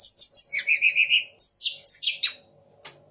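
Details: Sunda laughingthrush performing mimicked phrases of magpie-robin, shama and orange-headed thrush: a run of high chirps, then five even warbled notes, then two sharp downslurred whistles in about three seconds.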